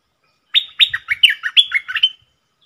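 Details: Decoy bulbul giving one double-style phrase: a fast run of about eight clear whistled notes, each sharply down-slurred and bouncing between higher and lower pitches, ending on a sustained level tone.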